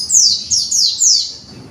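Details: Young conservation white-eye shaping its song: four quick, very high, downward-sliding whistled notes in under two seconds.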